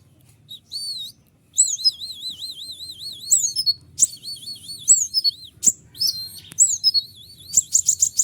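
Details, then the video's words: Long 'ngeriwik' trilling of a white-winged triller, meant to provoke other trillers into answering: loud, high, wavy warbled phrases rising and falling repeatedly, broken by sharp chips and a rapid burst of clicks at the end. "konin sayap putih unik full nembak rapat tajam suara jelas"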